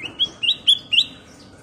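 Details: Sooty-headed bulbul (kutilang emas) singing in gacor style: four short, bright whistled notes about a quarter second apart, each with a quick upward flick, over faint background hiss.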